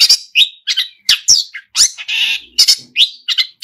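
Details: Long-tailed shrike in energetic song full of mimicry: loud squawking and chirping notes in rapid sequence, with one sustained buzzy rasp in the middle.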